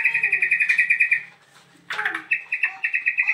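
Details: Just after the cage cover is lifted, a newly arrived bird repeats a bright, even chirp in fast series, breaks off briefly with a harsh note, then resumes the same rapid chirping.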